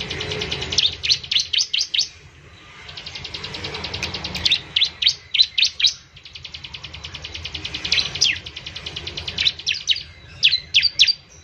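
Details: ['Bar-winged prinia singing to stimulate other prinias: several runs of quick, sharp high chirps alternating with stretches of a fast, buzzy, rattling trill.']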